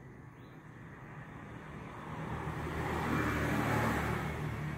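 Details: Road traffic rumble swelling louder as a vehicle approaches, with no animal voice standing out.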